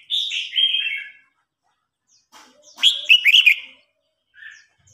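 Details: Old red-whiskered bulbul challenging a young one in a song contest: a sustained whistled phrase, then a loud rippling warble, then a short soft note.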